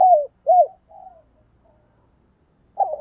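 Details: Spotted dove used as a decoy to stir wild doves into cooing: two loud, smooth arched coos in quick succession, a softer trailing note, a pause, then another coo beginning.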